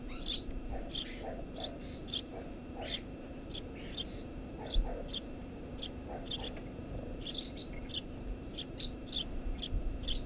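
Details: Tree sparrow at a nest under a house roof: a brisk, uneven run of high, clipped chirps, some doubled, over a constant low droning background.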